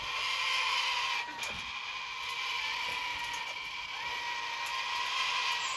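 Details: Baby sulphur-crested cockatoo chicks screaming to be fed breakfast keep up a harsh, continuous rasping screech, steady and grating throughout, with a slight dip in volume partway through.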